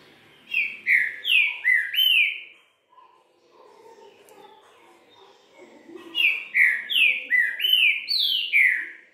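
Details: Kept green-winged saltator giving its three-note 'boi bitola' song: two bursts of strong whistled slurred phrases, each of four or five rising and falling notes, separated by a quiet pause with faint background sounds.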